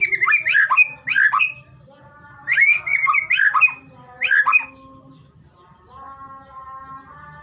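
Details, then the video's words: White-rumped shama singing to prompt another shama: short slurred whistled phrases repeated in bursts about every second, a pause, more phrases, then a faint steady tone and low hum. "masteran burung murai batu..! terapi Murai batu cepet gacor..!!"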